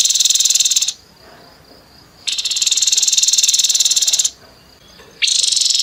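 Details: Grey-headed babbler giving a rough, harsh 'nembak kasar' song: dense buzzy rattling bursts about a second or two long, separated by short quiet gaps with a faint thin high tone.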